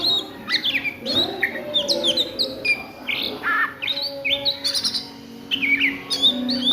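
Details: Oriental magpie-robin singing in the ngriwik style at midday: rapid, varied whistled and slurred notes, upward and downward sweeps in quick bursts, with a low steady hum beneath.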